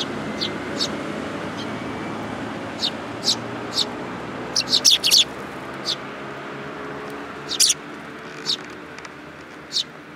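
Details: Sparrows visiting to be fed at a Tenmangu shrine, 8 July 2022: scattered high chirps with a short excited burst midway, against a steady background murmur.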